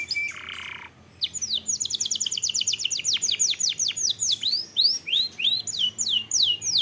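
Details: Long-duration canary song meant to provoke singing: a short buzz, then a long steady series of quick downslurred notes, about three per second, slowing into fuller sweeping whistles.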